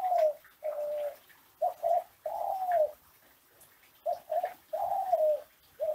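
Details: Captive ringneck dove from a Central Java, Indonesia breeder, singing classic Kelantan-style coos used as a master recording to get other doves cooing: short paired notes followed by long, drawn-out, slightly falling coos, in four phrases.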